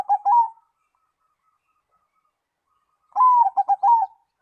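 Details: Zebra dove singing a song said to set other doves answering; the end of one phrase, then a full phrase of a falling coo followed by rapid bubbling notes, with quiet between.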